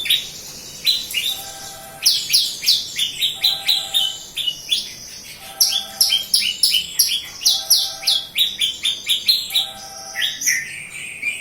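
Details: Horsfield's bush lark, local bird from Kediri, Java, singing in full voice: rapid runs of high chirps and slurred whistles in bursts of several notes, with brief pauses between phrases and a steady varied flow.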